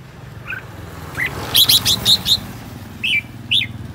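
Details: Decoy red-whiskered bulbul, aggressive and spinning wildly, sings a quick burst of bright, chirpy whistled notes, then a few looser rising whistles, over a faint low traffic rumble.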